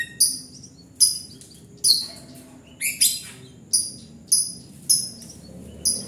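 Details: White-rumped shama singing vigorously (gacor): thin, very high whistled notes with clicky accents, delivered in short bursts about once a second over a faint low background hum.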